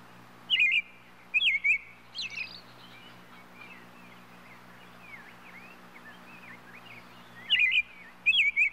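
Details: European robin song: clear twisted whistled notes at the start and end, with a quieter run of soft varied warbling between them. A low steady hum runs underneath.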